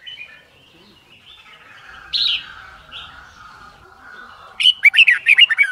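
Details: Caged red-whiskered bulbul in a training setting for competition singing, with a soft warbling background of lower liquid notes, then a loud burst of quick chirpy whistled phrases repeated rapidly in the final second.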